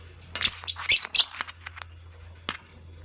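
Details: Nest-making Fischer's lovebird, green, alongside a pastel bird: a rapid cluster of scratchy, high-pitched chirps, followed by a few softer ticks and one isolated sharp chirp, steady low hum beneath.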